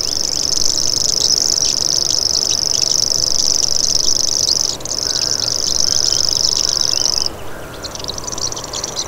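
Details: High, insect-like reel from a common grasshopper warbler, sustained, briefly dipping once, then stopping abruptly about three-quarters through; quieter bird chirps follow.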